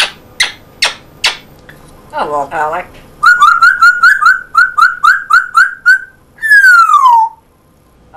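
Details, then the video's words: Talking pet male African grey parrot with a Yorkshire English accent, indoors; clicking sounds, a short speech-like phrase, then a quick run of repeated whistled notes and a long falling whistle. "English Accent African Grey. Amazing voice!"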